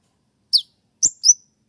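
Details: Spotted kolibri ninja sunbird uttering its sharp 'shot' song, a training master for other birds played at dawn; three brief shrill notes, the first sliding downward and the last a thin level whistle.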